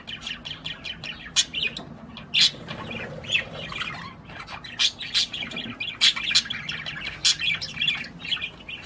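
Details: Budgerigar song meant to prompt a female to mate, heard as rapid scratchy chatter broken by loud clicking chirps at irregular intervals, steady background hum.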